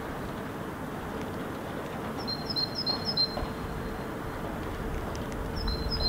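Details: Great tit monotonous song recorded in Helsinki, Finland, in February, the bird unseen: a simple two-note high-low element repeated four times in a quick series, then a new phrase starting near the end, over steady low traffic-like rumble.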